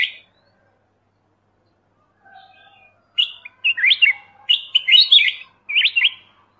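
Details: Black-crested bulbul, Pycnonotus melanicterus, after a short sharp note and a quiet pause, delivering a rapid string of bright slurred chirps and warbles lasting about three seconds.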